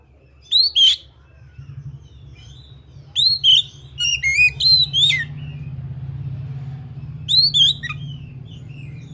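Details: Oriental magpie-robin song: loud whistled upslurred and downslurred phrases in short bursts separated by pauses, over a steady low hum.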